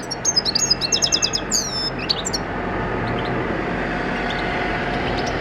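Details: European goldfinch, cage-bred in 2014, recorded for natural training: about two seconds of quick, high twittering and buzzy trills, then mostly steady low droning noise with faint scattered chirps.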